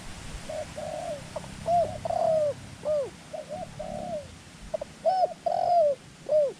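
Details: Decoy dove calling during ground trapping of wild doves in Thailand. Soft cooing notes alternate with loud, bright, arched coos that rise and fall, repeated unevenly about every second or two.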